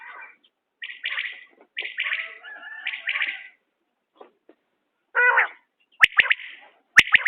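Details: Common quail giving three quick rhythmic note clusters about a second apart, then softer scattered sounds, a harsher burst and sharp clicks toward the end.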